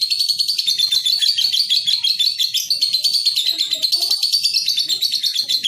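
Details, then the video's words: Young lovebird on a training recording meant to make young birds sing often and trill at length (ngekek panjang): an unbroken, high, shrill chattering trill, rapid buzzy pulses running steadily about three per second with slight wavering pitch, with faint low rustling beneath. "TERAPI LOVEBIRD PAUD | CEPAT GACOR"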